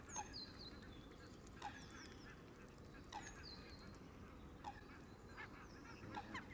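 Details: A flock of Canada geese feeding at the water's edge on green grass, close to a ground-level camera: brief honks about every one and a half seconds, with high, thin descending chirps from smaller birds above a low background hum.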